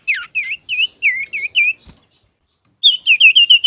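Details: Male common iora (cipoh, sirtu), used to provoke other birds, sings a run of six evenly spaced slurred whistles, pauses about a second, then six more rapid, flatter whistled notes.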